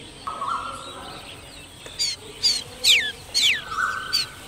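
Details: Striated babbler at a nest with eggs and chicks: a run of about six sharp, high squeaky notes, each sliding steeply downward, spaced roughly half a second apart, over a steady thin whining tone and faint background twittering.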